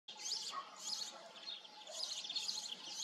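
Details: European goldfinch singing: bright, twittering bursts of high tinkling notes in rapid clusters, phrases separated by short pauses, with a faint steady hum underneath.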